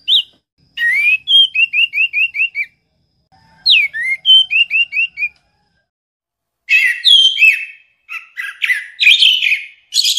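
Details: Orange-headed thrush song made of bursts of about six rapid, clear, down-slurred whistles repeated in series, separated by short silences, then a more jumbled, varied warble.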